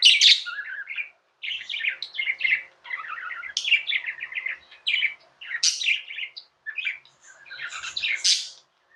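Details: Budgerigars, tame pets, producing steady scratchy chatter in phrases of a second or so, mixing rapid chirps with sharp rising squeaks.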